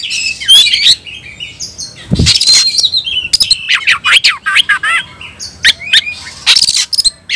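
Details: Caged white-rumped shama giving its fight-challenge call: a rich medley of whistled slurs, harsh rasping notes and fast chatter, with one low thump near the start of the second half.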